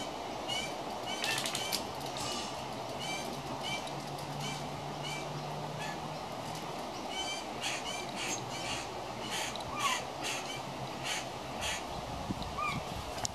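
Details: A young pied currawong, one of three juveniles around a home, gives harsh squawking begging calls in quick bursts over a steady low engine-like hum.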